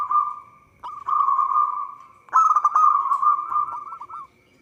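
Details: Zebra dove of local stock, its song used as a trapping lure: long buzzy rolling coos, strongest near the start and middle, the last one breaking into quick choppy notes before stopping.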